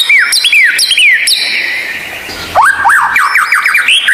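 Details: Rare White-rumped shama song used as therapy for lazy captive birds: a few falling slurred whistles, a short pause, then a quick chain of rising-and-falling whistled loops.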